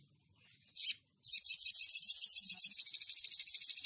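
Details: Sunda bush warbler (sogon) in ngleper style calling to a rival: two short high notes lead into a sustained rapid pulsing trill, loud and high-pitched throughout.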